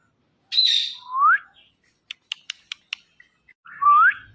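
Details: ['Indian ringneck parrot giving a bright high squeak, then a clear rising whistle, a quick series of sharp clicks, and a second upward-sweeping whistle.']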